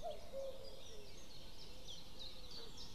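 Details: Common cuckoo calling on 12 May 2016 around 05:53 in the morning: a clear two-note cu-ckoo opens, the first note higher and the second lower, followed by fainter lower echoes, over a steady high chorus of other birds and background hiss.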